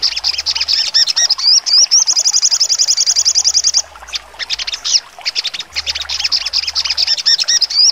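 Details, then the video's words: Sogon songbird delivering sharp trotol song, used for training contest birds: rising slurred whistles lead into a rapid high trill lasting about two seconds, followed by clusters of quick, piercing chirps. "sogon trotol full nembak tajam"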